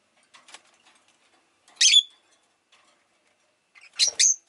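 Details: Rosy-faced lovebird chirping, with city noise around it: three short, sharp, high chirps spaced about two seconds apart, the last a doubled burst, with silence between.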